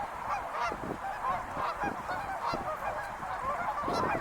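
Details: Wild geese in a flock, continuous overlapping honking and yelping calls of many birds, with short louder bursts standing out from the steady chatter.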